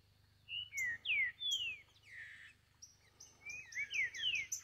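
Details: Free-living green-winged saltator in forest, singing close to a woodsman: clear slurred whistles, rising and falling in quick succession, then a run of higher, thin descending notes with short bright chips above; low constant hum beneath.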